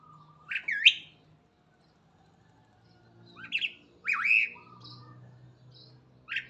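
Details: Starling singing in the morning: scattered loud whistled and squawky notes, some sharply rising and falling, in short bursts separated by pauses, over a faint low hum.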